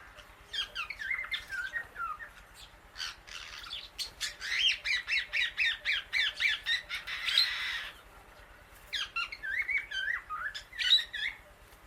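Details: Outdoors eating grass alongside many birds, a female Indian ringneck parakeet gives scattered harsh notes, then a long rapid string of loud squawks several per second, and after a pause another burst of shrill calls.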